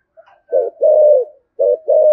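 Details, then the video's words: Spotted dove giving Thổ Sấm style urgent, fiery cooing used as a lure to provoke wild doves: low, hollow coo phrases, a short double note then longer drawn-out coos, with a brief pause between phrase groups. "Tiếng cu gáy Thổ Sấm thúc gù căng lửa kích bổi"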